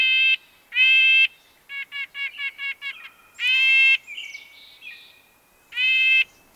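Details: Red-breasted nuthatch giving drawn-out nasal honks, each about half a second long, separated by a burst of six short clipped notes; faint high twitters from another bird in the pauses.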